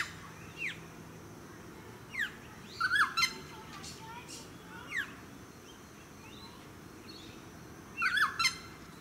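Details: Noisy friarbird calling from a eucalyptus in a Sunshine Coast suburban park, Queensland, in July 2017: raucous, rasping clusters of harsh notes at roughly three and eight seconds, between thinner chirps and quick downslurred notes, over low suburban background noise.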